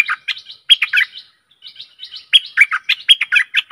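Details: Decoy recording of a Stripe-throated bulbul for attracting aggressive wild birds: quick, gurgling, warbled notes in two dense bursts split by a brief pause, with no background noise.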